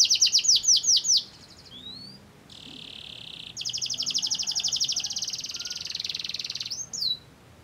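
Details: Canary song meant to provoke other canaries into singing: a brief series of high repeated notes, thin rising whistles, a buzzy flat note, then a long rapid rattling trill ending with a short sweep.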